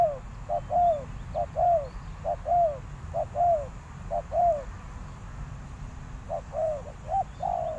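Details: Decoy spotted dove cooing to draw in wild doves, giving repeated short, mellow, downward-curving coos in loose groups over a steady low rumble, with a brief pause before the last few notes.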